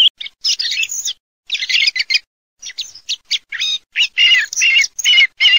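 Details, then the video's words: Song thrush song: dense, rapid run of high, rich phrases with trills and chattery notes, ending in a clear phrase repeated about four times in a row; clean background without other noise. "Kελαηδημα Tσιχλας 4 /song turdus philomelos 4"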